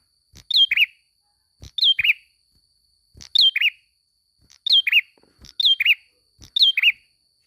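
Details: Prinia in lively song, recorded as masteran training material: quick two-part chirps, a thin high slur dropping to a fuller lower note, given six times over seven seconds with soft clicks between and no other birds.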